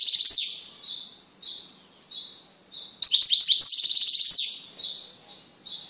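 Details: Caged male European goldfinch singing loudly and excitedly once separated from his canary mate. Bright rapid twittering opens, softer thin notes follow, then another loud run of tinkling chirps ends in a descending buzzy slur.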